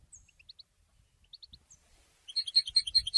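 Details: Goldfinch, singing to announce presence and attract females: a few thin, isolated high notes separated by pauses, then a sudden loud, rhythmic burst of bright twittering at the end.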